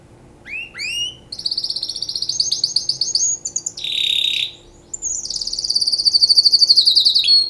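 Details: Canary singing for mating: rising upswept whistles, then fast rolling high trills, a brief harsher buzzy burst, and a long rapid chattering trill that ends on sharp notes, over a faint steady hum.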